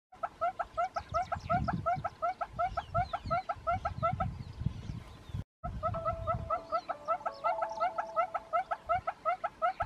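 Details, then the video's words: Northern red-billed hornbill displaying: a long, steady run of clucking, harmonic notes, close to three per second, broken by one short gap midway. A low rumble sits underneath throughout. "Northern Red-billed Hornbill displaying"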